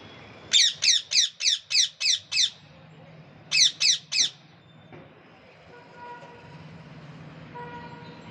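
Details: Parrot calling with loud, harsh, buzzy notes repeated rapidly: a run of seven quick squawks, a pause, then three more, followed by quiet background hum and faint tonal sounds.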